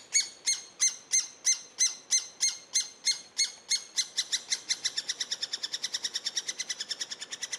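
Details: Eurasian three-toed woodpecker young begging while being fed: loud, high, squeaky chirps in a steady series, slow at first at about three per second, then speeding into a rapid, softer run of quick notes.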